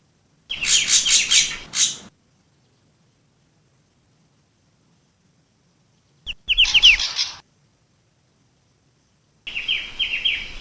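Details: Long-tailed shrike singing as a lure call, with dense raspy high-pitched chattering phrases of about one to one and a half seconds, broken by long quiet pauses.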